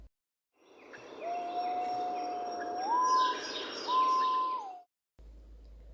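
White-bellied Green Pigeon: a long, mellow, flute-like whistle that holds steady, then rises, followed by a higher note sliding down at the end, over a soft background hiss.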